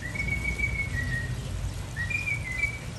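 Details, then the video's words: A mockingbird whistles in its melodic song. It gives two drawn-out, clear whistled phrases about two seconds apart, each sliding between pitches, over steady low background hum. "Sinsonte Cantando melodias y chiflando"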